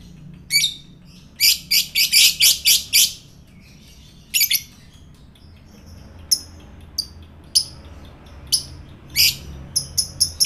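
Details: Lovebird fighter sounds used to provoke other lovebirds into calling, a bird kept as a pet in Indonesia: a fast burst of harsh, high chattering notes, then scattered sharp chirps separated by short pauses.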